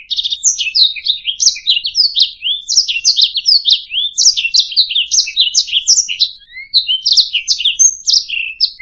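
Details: Canary song meant as a tutor recording for songbirds: a fast, unbroken stream of bright chirps, short trills and downward-sweeping whistles, high and busy throughout.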